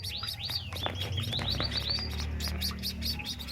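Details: White-headed munia × Bengalese finch hybrid chicks, a few days old in a nest, give rapid, thin, high chirps, several a second, while the father feeds them, over a low steady hum.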